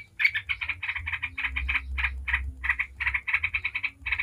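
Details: Yellow-vented bulbul in the rapid 'ngebren' chattering style, played as a lure to make other bulbuls sing: dense bursts of harsh, mid-pitched chattering notes in quick clusters, with short gaps between groups and a low hum underneath.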